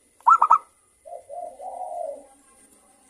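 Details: Local zebra dove, morning song: a quick triple of bright cooing notes, then a long, soft, lower rolling coo that fades out.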